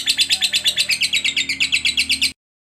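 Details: Lovebird in a 'ngekek' trill meant to stimulate other lovebirds to sing. Shrill, grating notes come in quick even pulses for just over two seconds, then stop abruptly into silence.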